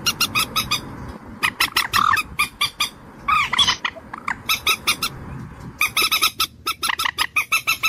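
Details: Common moorhen, the water hen known as dungkor pakhi, repeating harsh, buzzy clucks in steady rhythmic runs, broken by a few squawkier, drawn-out notes midway.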